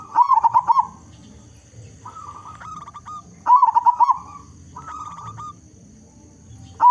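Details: Local zebra dove, a frequent singer with a big voice, used as a lure to prompt other zebra doves to sing: two loud phrases of four or five rapid bubbling coos, about three seconds apart, with softer drawn-out coos between.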